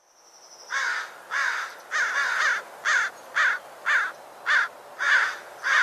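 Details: An American crow in Sonoma County gives a run of about nine harsh, nasal caws, nearly two each second, higher and less gurgly than a raven; a brief thin tone opens it.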